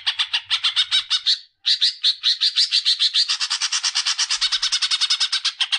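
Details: Greater green leafbird singing to stimulate young birds: a continuous stream of fast, high, repeated chirps, some slurred and buzzy. There is one short break early on, then the notes quicken into a steady rapid series.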